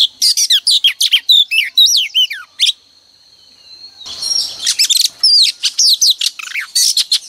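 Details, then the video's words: Morning song of a female oriental magpie-robin played to provoke males to sing: rapid sweet whistled notes with sliding pitch and harsh chirps, a brief silent pause, then another dense run of varied whistles. "Kích choè than trống cực căng mỗi sáng | Choè than mái mồi quá hay"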